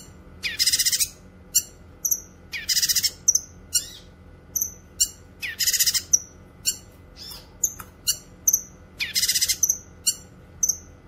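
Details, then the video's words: Cucak kinoy, a bulbul, in lively song used as training audio and a lure for wild birds: loud raspy bursts about every two to three seconds, each followed by thin whistled upslurred notes and short chips, faint background hum. "Masteran suara burung CUCAK KINOY gacor cocok untuk masteran dan pikat"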